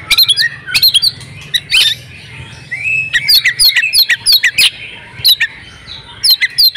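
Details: Oriental magpie-robin female in breeding condition, calling to set males singing: scattered sharp whistles and harsh squawks, then a dense run of quick chipping notes over a faint low hum.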